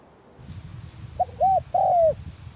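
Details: Spotted dove practising its call at the beginning of the cold season, one mellow three-note coo ending in a long falling note, over a low rumbling background noise.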